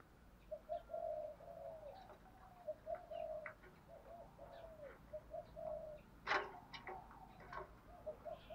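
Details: Caged lure spotted dove calling to provoke wild doves: repeated low, hollow coo phrases in short bursts, with sharp clicks and knocks scattered through, one loud click near the end.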